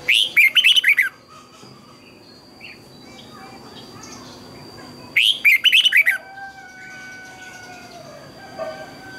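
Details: Tutor song of a red-whiskered bulbul for training birds: two dense, chattering phrases of twisted double notes about five seconds apart, with weaker distant chirps and a low steady tone in the gaps.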